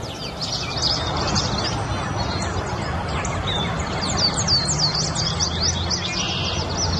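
Orchard oriole song: a rapid, tumbling run of high whistles and chattering notes, several per second, over a steady low rumble of background noise.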